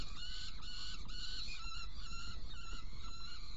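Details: Saker falcon in Hungary on 16 June 2018, evening at 18:57, prey brought in and two young fed; strained, wavering harmonic calls follow one another closely, with a constant low-pitched rumble underneath.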